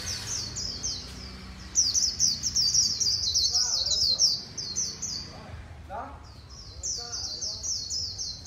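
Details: Japanese white-eye from a Vietnamese hobbyist's collection giving khuyên líu song, long runs of very high rapid twittering notes, with lower chirps from other birds and faint background murmur beneath.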